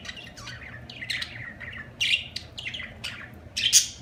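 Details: Budgerigar chirping: quick chattering phrases of high twittering notes and squawks, with a loud, sharp chirp near the end.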